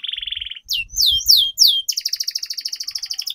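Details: Canary song used for singing training, with a long roll: a fast buzzy trill at the start, then loud downward-sweeping whistled notes, then a rapid steady rattling trill to the end.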